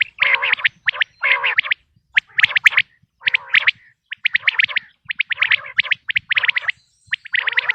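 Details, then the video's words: Quail calling, offered as a natural sound for quail hunting in the 2026 season. It is a dense run of short, sharp chirps in quick bursts, with some lower buzzy, harmonic notes between them. No other sounds. "بٹیر کی آواز"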